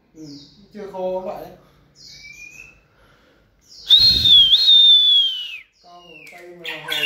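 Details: Shama in song-stamina training gives a loud clear whistled note that slides down, with a few softer harmonic calls and short rising whistles before and after.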